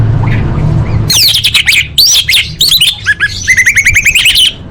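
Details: Female orange-headed thrush calling males, a lure for birds that have stopped singing: dense, excited series of high, sharp chirping notes and quick rising whistles from about one second on, over faint low background hum.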